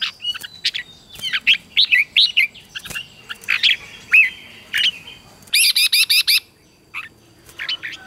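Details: Red-whiskered bulbul singing for training young birds: a series of loud slurred whistles and chirps, then a quick run of five evenly spaced chattering notes, ending with a few faint notes.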